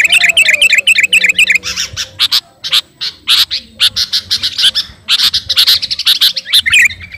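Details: Calling to a rival, a 'kutilang garuda' or sooty-headed bulbul starts with a rapid rippling chirp series, then delivers loud, abrupt squawky notes in uneven bursts, ending in a run of bubbly chirps.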